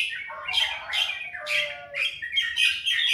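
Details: Bird singing in the morning with harsh, squawky, buzzy phrases broken by brief pauses, loud and close, with a lower slurred note sliding downward midway.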